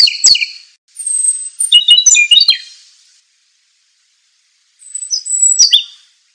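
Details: Scarlet minivet singing high, thin whistles and quick sliding chirps in two bursts a few seconds apart, with no other sounds; a song used as a training master for other birds.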